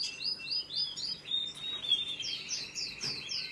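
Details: Canary chicks begging while being fed: a fast run of short, high, downward-sweeping chirps, roughly two per second, rising in insistence toward the end over a steady faint hiss.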